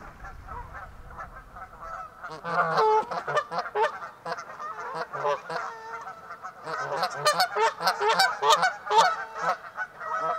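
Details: A flock of Canada geese at the end of winter on Pandapas Pond, Blacksburg, Virginia, honking busily and overlapping, many harsh nasal calls tumbling over one another after a brief quiet start.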